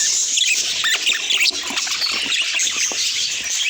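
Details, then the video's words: Chirping budgies, thick and lively high chatter with bright sweeping chirps and squeaks layered over each other, near-continuous and fairly loud. "Budgie Chirps That’ll Make Your Day"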